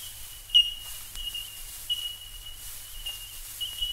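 Bell Miner giving clear, pure, bell-like tink notes every second or so over a steady ringing background of distant tinks, with a faint low hum.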